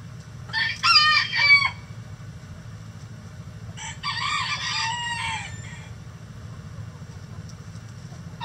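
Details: Egg-laying chickens of mixed breeds in their coop give two loud harsh squawking bursts about three seconds apart, the second ending in a drawn-out falling note, with low hum and quiet between.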